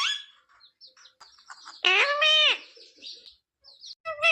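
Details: Parrot talking nonstop: soft scattered chirps, then a loud, harmonic, voice-like drawn-out utterance with a falling end, followed by quieter notes and a final short voiced sound.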